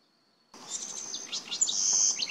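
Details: A house wren (Troglodytes aedon) at Cocachimba, Amazonas, Peru, gives a quick burst of high, scratchy chattering notes running into a thin, sustained buzz near the end.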